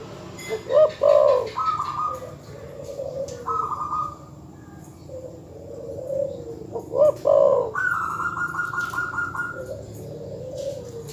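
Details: Terkukur or perkutut dove, used to provoke rival birds, giving paired loud coo bursts about six seconds apart, with quieter warbling coos and long flat higher tones between, over faint background noise.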